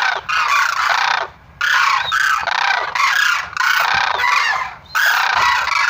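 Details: Sarus crane: loud, harsh overlapping honking and trumpeting calls in dense bursts of about a second, broken by brief pauses, several birds calling at once.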